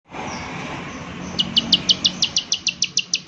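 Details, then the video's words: Prinia calling in the "klik klik" style with nature sounds: after a quiet start, a rapid run of about a dozen sharp, high clicking notes, evenly repeated several times per second over faint background hiss. "Prenjak Klik Klik Gacor"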